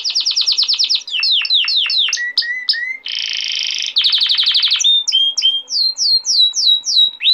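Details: Male canary song meant to train young canaries and stimulate females: quick series of high arching whistles, a buzzy drawn-out block at three seconds, a rapid trill, then clear downslurred whistles about twice a second.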